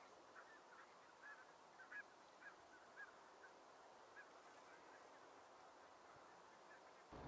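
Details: Huge gathering of white-fronted geese, with a few barnacle geese mixed in, in a snow-covered meadow around Alblasserdam. Distant honking from many birds forms a soft, continuous babble with a few slightly louder calls.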